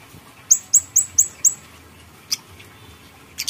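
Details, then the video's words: Grey-headed canary-flycatcher singing vigorously, used as bait to make other birds sing: five sharp, very high, downslurred notes in quick succession, then a pause and a few scattered clicks. "pancingan kamade polos gacor isian"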